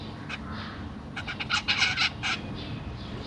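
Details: Caged zebra finches with young, recorded 25 June 2023 while parents fed juvenile and newborn babies; a brief burst of rapid, harsh chirps packed together mid-clip over steady low background hum.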